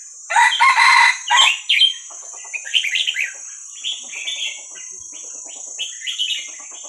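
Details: Young wild Vietnamese red-whiskered bulbul, played to train young birds: a loud harsh burst of broad chattering notes, then quieter chirpy warbled phrases, with a steady high electronic whine throughout.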